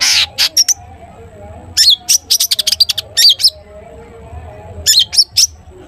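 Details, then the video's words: Long-tailed shrike in "toet toet" song, played to get other shrikes singing: a harsh opening note, then clusters of quick sharp whistled notes in several bursts with short silences between, over a faint hum. "cendet gacor TOET TOET buat pancingan cendet agar bunyi"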